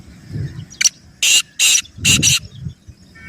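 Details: Black francolin calling, a recording used to get pet francolins calling: a short rasping note, then a series of harsh, broadband, grating bursts in quick succession, with faint low rumble underneath.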